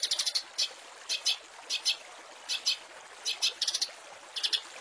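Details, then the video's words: Master recording of long-tailed shrike song with fill-in phrases, used to teach white-rumped shamas and small cage birds: short high clusters of sharp notes, two or three at a time, repeated about every half second against a steady hiss. "Masteran Cendet full isian mewah"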